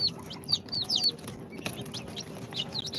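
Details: Incubator-hatched chicks on day two, a mix of Sultan, Golden Sebright, Cochin and booted breeds, give a few loud high downslurred peeps in the first second, then softer scattered chirps, with a low hum and a brief knock.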